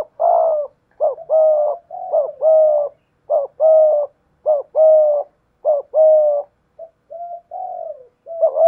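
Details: Spotted dove cooing in 'thổ' voice blended with 'thúc gù' while facing off against a wild dove; a rapid, fairly regular series of short lead notes each followed by a fuller, slightly falling coo, then softer trailing notes.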